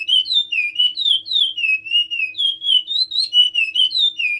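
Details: Chestnut-bellied seed finch singing in the Timbira song style: loud, clear whistled notes sliding up and down in a steady, almost unbroken run of warbled phrases, with a quiet background.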